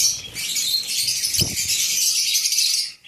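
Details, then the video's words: Shrill, dense twittering from lovebirds, steady and unbroken for nearly three seconds, with a soft knock near the middle before fading out. "love birds"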